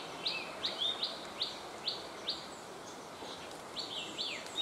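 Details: Wild cit kemade bird in its native habitat calling with brief, high, upslurred chips, repeated quickly but unevenly, with a short pause mid-series before resuming, against a constant noisy background.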